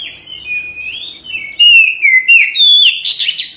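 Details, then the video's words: White-rumped shama kept in a cage, soft warbled whistles gliding up and down, then a loud run of clear slurred whistles ending in a harsh rasping burst. "KACER CEPAT RESPON GACOR"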